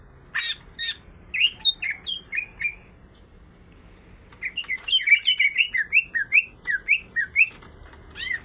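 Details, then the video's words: Female and male greater green leafbirds singing energetically: sharp high clicks followed by fast runs of short, bright, upslurred whistled notes, a pause, then a longer dense burst of varied chirps. "full isian tengkek cucak ijo betina dan jantan sama sama gacor"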